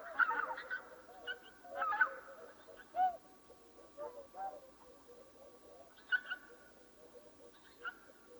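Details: Several swans heard before dawn, giving repeated nasal honking calls in irregular bursts, loudest at the start and around two seconds, with quieter honks scattered between, over low continuous murmuring and a steady background hum.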